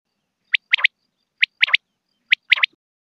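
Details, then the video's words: Female common quail giving short sharp high notes, a single note followed by a quick double or triple, the phrase repeated about every second, three times, in silence. "madi batair ki awaz"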